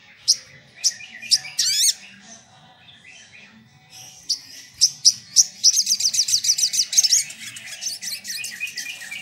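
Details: Crimson sunbird sings very high, sharp, thin notes, then a rapid run of about a dozen piercing chips fading into softer twittering, over faint low rumbling; used as a lure call to provoke rivals.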